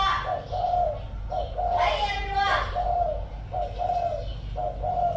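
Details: Caged spotted dove decoy bird with 'giọng thổ' cooing repeats its short-long hummed coos while a man talks over the middle of the series.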